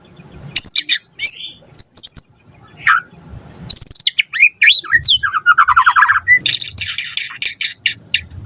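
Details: Lure song of a vigorously singing white-rumped shama: scattered sharp high chips and squeaks build into a dense fast medley of whistles, slurs and trills.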